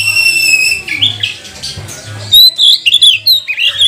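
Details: Magpie-robin song played to provoke other magpie-robins into full song: a steady, pure whistled tone with overtones opens the clip, then after a short pause come loud, quick bursts of varied whistles and chirps.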